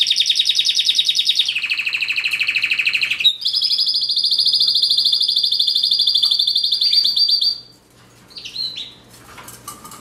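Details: Canary singing several rolling trills in succession, a lower buzzy tour giving way to a long high rattle, before trailing off into a few faint chirps.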